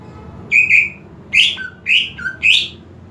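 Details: Home-kept greater green leafbird, excitement and breeding drive being boosted, pours out a lively phrase: paired high whistles followed by three rich upsweeping notes, each trailed by a soft lower whistle, with faint indoor hum.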